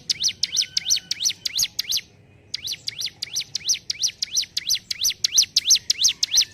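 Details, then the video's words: Hill prinia known locally as ciblek gunung, singing ngentrok style: steady train of high, V-shaped chirps about three each second, halted once by a half-second silence before resuming. "CIBLEK GUNUNG GACOR NGENTROK"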